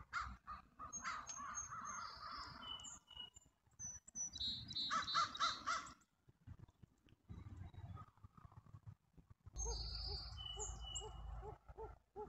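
A pheasant gives harsh, raspy calls in short bursts, with thin higher chirps from smaller birds in the background.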